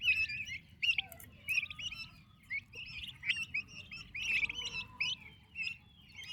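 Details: Active turkey chicks with their mother; a busy flock of shrill, rising peeps in rhythmic clusters, louder bursts around the middle and end, over a faint low hum.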